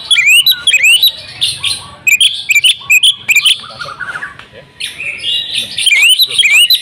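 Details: A female Oriental magpie-robin calls the male to make him sing: clusters of sharp whistled upsweeps and chirps separated by softer hissy stretches, ending with another bright run.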